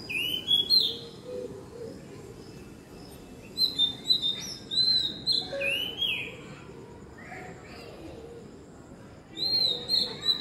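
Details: Oriental magpie-robin sings at evening, sweet looping whistles and short warbled phrases in separate bursts, several notes repeated with similar arching shape, gaps of quiet between, low hum behind.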